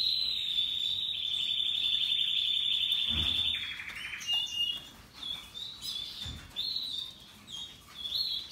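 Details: Happily singing Russian yellow and Timbrado canaries; a long, loud, even trill rolls steadily for over three seconds, then breaks into scattered short chirps and twitters with a soft thump or two.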